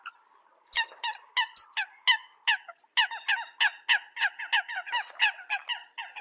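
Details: Eurasian coot decoy call opening after a short quiet moment, then sharp honking notes mixed with a few high squeals, speeding into a steady rapid series.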